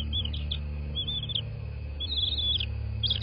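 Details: Bald eagles at a nest in a quaint southwest Florida landscape, recorded by nest camera on 13 March 2024 at 23:19; thin, high chittering notes in short bursts, some slurred, over a constant low rumbling hum.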